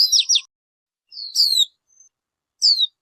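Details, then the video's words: Short bursts of high, sharp chattering notes, followed by a rising-then-falling whistled slur and another clear descending whistle, separated by silent gaps. "Suab noog ncwb qua dib tuaj zoo tiag tiag."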